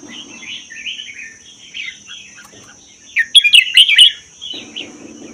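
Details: Red-whiskered bulbul of wild Vietnam–Laos stock, kept one year, with a doubled song. It is played to spur other bulbuls to sing. Soft warbled phrases build into a loud, rapid, bubbling burst midway. A steady high whine persists.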